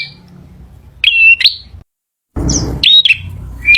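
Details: Male bar-winged prinia giving short bursts of song: clipped, buzzy notes mixed with brief whistles, separated by a silent pause, with some low rustling noise.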